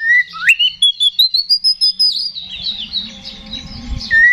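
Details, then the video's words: Oriental magpie-robin in an aggressive, provoking song meant to rouse a rival to fight: a rising whistle, then a rapid string of about a dozen bright notes climbing high, ending in a softer warbling jumble and a final whistle. "KACER GACOR NGEPLONG TARUNG !! PANCINGAN KACER PALING AMPUH BUAT MENAIKAN EMOSI KACER AUTO RESPON"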